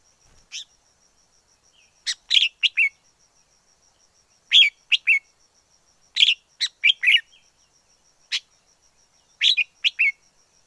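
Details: Wild red-whiskered bulbul singing: four bright bursts of three or four quick, slurred whistled notes, spaced a couple of seconds apart, with lone chirps between, against a silent background.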